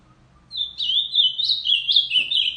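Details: Song of an ultramarine grosbeak kept for singing tournaments: a continuous, warbling phrase of high slurred whistles with rising and falling notes lasting about two seconds, over a faint low hum.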